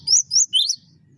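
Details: Cinereous tit song used as a master for training birds: a short phrase of three high, quick, clear chirped notes, the last one dropping in pitch, over a faint low hum.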